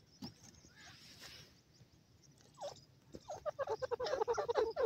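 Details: Grey francolin (gora teetar) calling. Faint rustles and scattered notes give way to a fast run of harsh, ringing notes, about three to four per second, that grows louder toward the end.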